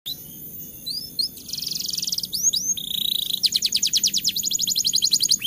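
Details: Canary song used as a lure to stimulate lazy canaries into singing during the rainy season: rising whistled notes, a buzzy trill, then a fast rolling series of rapid repeated chirps.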